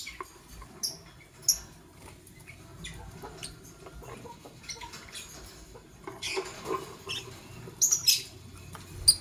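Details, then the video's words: Lovebirds, a green Fischer's and a pastel blue, in the morning: short, shrill, high chirps scattered through the clip, a few sharper bursts near the end, over steady rustling and scratching. "Lovebird Chirping Sounds - Sing And Funny - Green Fischer's & Pastel Blue"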